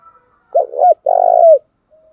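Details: Spotted dove cooing, male and female calls used to excite trained doves. One strong coo: a brief opening note, a short gap, then a longer throbbing note that slides downward.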